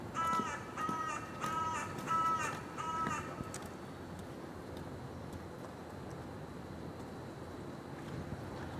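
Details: A carrion crow giving its advertisement call from the Wilberforce Building: five harsh, hoarse caws in quick succession over about three seconds, then stops, leaving a steady background rumble of traffic.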